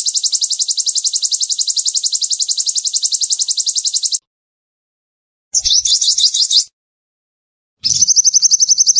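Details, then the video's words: Sogon (sunbird) in energetic form: a four-second fast high trill, a pause, a scratchy jumbled burst, then a clean rapid trill of repeated notes. "Sogon Gacor!! Master, Pikat & Terapi air"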